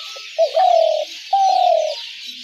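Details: Spotted dove, used for luring doves to traps, giving two long purring coos, the second pitched a little higher and easing downward, against a background of steady hiss.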